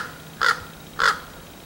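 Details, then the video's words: Common raven calling, filmed on 10 February 2015: two short, harsh caw-like calls about half a second apart, each brief and clipped, over a quiet background. "Raven Talk"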